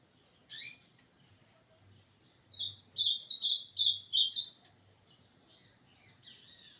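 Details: Ultramarine grosbeak recorded on 21 December 2024, singing a warbled phrase of about two seconds of sweet, slurred whistles, preceded by a single sharp note, over a faint low hum.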